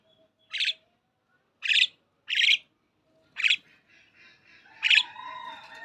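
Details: Common myna (shalik) giving five harsh, raspy, scratchy bursts spaced about a second apart, followed by faint whistled tones and a soft background murmur.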